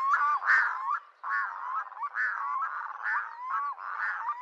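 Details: Red-throated diver giving harsh, rhythmic calls, a series of strained, nasal notes repeated about two to three times per second, rising and falling in short bursts with brief pauses between phrases.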